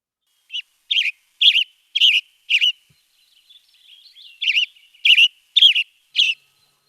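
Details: A tanager sings short, hoarse, burry phrases about twice a second in two runs with a brief pause; song structure almost identical to a robin's but burry rather than clear and sweet. Professionally recorded, no background sounds.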